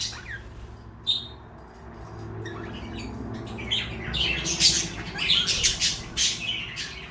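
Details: A soft low rumble and one brief whistle open the passage. A pair of pet parakeets, one blue and one light yellow, then break into loud, harsh squawking chatter in rapid, irregular bursts.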